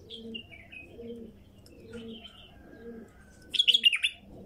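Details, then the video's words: Song of a wild female bulbul: faint whistled phrases early on, then a loud, quick cluster of chirpy notes near the end, with doves cooing rhythmically underneath throughout. "تغريد بلبل نثيه وحشي"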